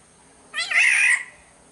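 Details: Black-naped oriole from Sumbawa, in a lure recording: a single rasping, nasal mew lasting under a second, rising slightly and then holding steady, with a quiet background.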